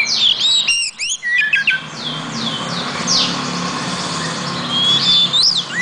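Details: Oriental magpie-robin (kacer) song: quick varied whistled phrases and downward-swept notes, busier at the start and end, over a steady low background hum.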